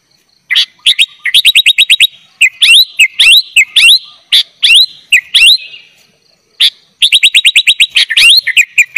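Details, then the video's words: Lively sooty-headed bulbul song packed with filler phrases for tutoring young birds: dense runs of quick looping whistles, some rising and falling slurs, broken by brief gaps and a few sharp accented notes. "kutilang gacor full isian - cocok buat masteran kutilang bahan"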